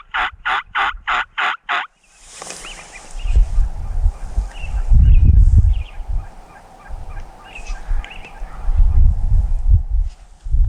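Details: A Wild Turkey tom on Montana public land during a spring hunt, with hens, a jake and other toms nearby, opens with a fast, rattling gobble of about six pulses. Then heavy wind and low rumbling handling noise take over, with faint calls behind.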